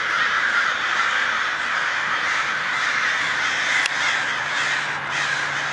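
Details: A daybreak swarm of crows dives and circles, producing a thick, constant chorus of loud, harsh caws from many birds at once, with a faint low hum near the end.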